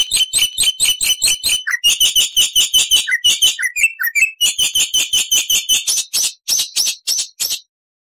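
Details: Black-winged starling in a loud master training recording, giving a rapid, steady chatter of harsh, buzzy notes, several per second, broken by short falling whistles, then slowing at the end.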